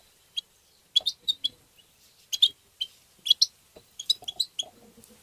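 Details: European goldfinch singing 'tabta' twitter to excite goldfinches: clusters of sharp, high, jingling notes in uneven bursts, with quiet low chirrs in the background.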